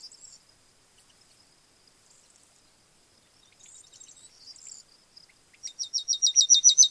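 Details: Yellowhammer song: faint high twittering notes at first, then a loud run of rapid, evenly repeated short high notes building over the last second.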